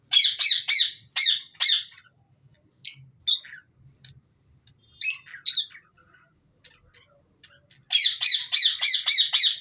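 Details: Budgerigars chattering in a breeding colony: fast runs of scratchy chirps, scattered quieter notes in the middle, then a dense rapid burst to the end.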